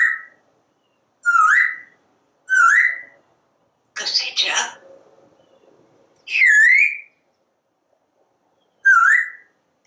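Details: A parrot on a screened back porch, watching squirrels and birds, gives short upward-sweeping whistles about every one to two seconds. One burst of speech-like chatter falls in the middle.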